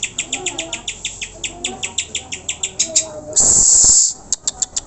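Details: Greater green leafbird lure recording for exciting caged birds into song: steady rapid high chirps around three to four per second, interrupted by a loud hissing burst before the chirping resumes.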